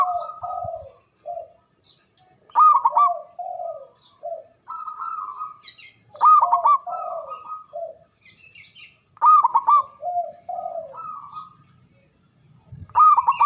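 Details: Local zebra dove from Java with a loud, long-winded song used to lure and stimulate silent doves: phrases repeat about every three seconds, each a rapid staccato trill followed by long level coos and lower sliding notes.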